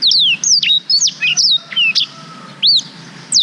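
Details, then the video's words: Black-throated canary in long-duration song meant for tutoring canaries, captured on a GoPro Hero 5: loud, clear, high whistles, each sliding downward, tumbling in quick succession, with a couple of upswept notes near the end. "Suara Blackthroat Durasi Panjang Untuk Masteran Kenari"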